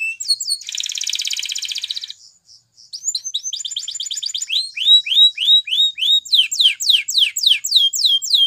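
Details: Spanish Timbrado canary song for training canaries: a buzzy high rattle, a brief gap, then a metallic trill leading into loud swooping downward whistles repeated about three times a second.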